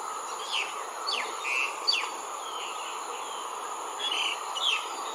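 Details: Yellow-billed babblers at the border of Sinharaja Rain Forest, Sri Lanka, in 2019 give scattered squeaky downslurred notes and short scratchy chatters, over a loud, steady, high-pitched insect drone.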